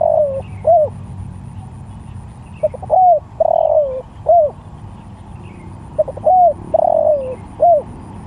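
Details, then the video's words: Spotted dove calling to other doves with three repeated phrases, each of soft double notes, an arched hoot, a long falling coo and a final hoot, plus faint distant calls. "Tekukur Sirambo Malemanggil Tekukur||Suara Bagus"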